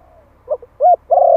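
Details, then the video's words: A Malai spotted dove, one year old, calling to lure wild birds in Vietnam. Soft stuttered notes lead into a short arched coo and a loud, sustained, slightly falling coo that is cut off at the end. "Tiếng chim cu gáy Malai kích bổi - Thanh niên Malai 1 năm tuổi gáy gọi nghe giọng quá phê."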